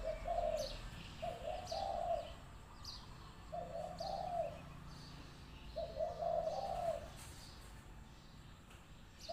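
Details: Lively spotted dove calling as a trapping decoy: four low, mellow coo phrases spaced roughly two seconds apart, with faint high chirps of other birds in the background.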